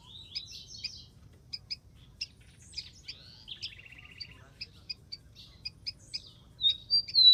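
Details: Song of a wild rufous-collared sparrow: rapid high chirps with a short buzzy trill at mid-pitch, more scattered chirping, then a brighter whistled phrase at the close.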